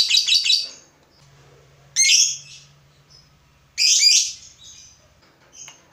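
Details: Fighter lovebird stirred up on seeing a rival: a quick cluster of shrill high chirps, then two loud harsh screeching bursts about two seconds apart, with a faint low hum underneath.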